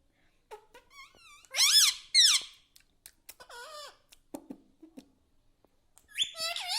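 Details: Pet parrot said to speak words like mummy, papa and radhe radhe: soft bent syllables build to two loud arched calls, then wavering notes, a brief low human voice, and a final rising harmonic phrase in an indoor room.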